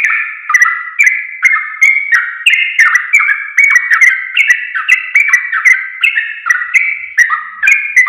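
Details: Training song of sooty-headed bulbul for teaching caged birds: unbroken chain of short mellow warbled phrases, roughly two per second, pitch shifting between notes, rich and liquid, on a clean silent background.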